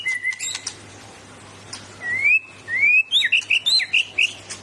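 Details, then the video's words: Kept white-rumped shama with powerful burst-and-fill-in singing: a flat whistle and high chips, then rising whistled slurs leading into a fast series of bright, looping high notes. "BURUNG MURAI BATU TEMBAKAN BONGKAR ISIAN DENGAN POWERFUL"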